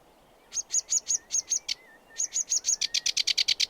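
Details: Sedge warbler delivering paired scratchy notes, then a faster, harsher rattle of rapid buzzy elements, with a soft lower whistle from another bird beneath.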